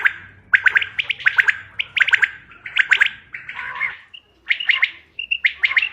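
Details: Common quail lure call for hunting, 5 June 2025: rapid clusters of crisp, liquid pulses in quick succession, followed after a pause by a few thin whistled notes and more pulse groups over faint low hum.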